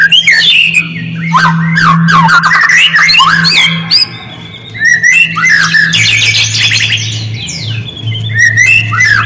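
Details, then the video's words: Shama lure song meant to provoke silent birds into answering: dense, rapid run of sharp whistles, chips and slurred notes, briefly quieter midway, with a constant low electrical hum beneath. "Murai diam langsung merespon suara burung ini, pancingan murai batu"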